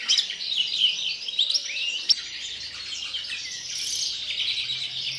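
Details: European greenfinch kept in captivity, singing in the pre-breeding period: fast jumbled twitters and short trills run without pause, with a sharp click around two seconds.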